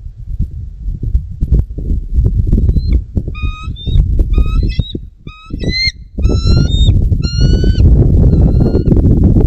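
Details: Bald eagle calling at its nest along the Little Miami River near South Lebanon, Ohio, USA, recorded by a nest camera on 11.04.2024 at 19:34. A thin, high, piping series of short whistled notes repeats rapidly over heavy, rumbling wind noise.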